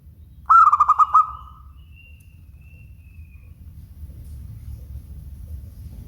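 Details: One clear phrase of local zebra dove song: quick string of about six bubbling coos running into a drawn-out soft note, followed by several seconds of quiet low hum.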